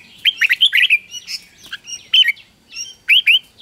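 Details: Red-whiskered bulbul pouring out a quick morning training phrase to urge wild-caught young birds into competitive song: a rapid tumble of bright whistled notes, then two shorter, clear phrases after short pauses.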